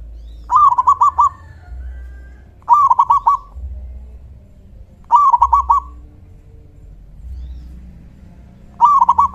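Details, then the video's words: Zebra dove, a local bird with a big, loud voice, calling to provoke other doves into answering; four rapid rippling phrases of about five bright coos each, repeated roughly every two to three seconds, with low hum between. "Suara panggilan PERKUTUT LOKAL GACOR suara besar KUNG"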